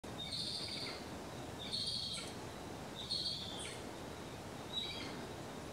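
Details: A male Black-and-chestnut eagle (Spizaetus isidori) at its nest in Antioquia, Colombia, gives four high, thin whistled calls about every one and a half seconds, over a steady rush of wind or running water.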